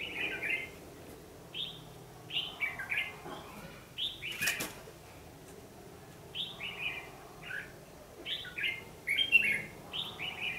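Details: Red-whiskered bulbul fighting song heard while trapping on 14 December 2015: a long series of lively three- to four-note warbled phrases, repeated every second or so, with a sharp click midway.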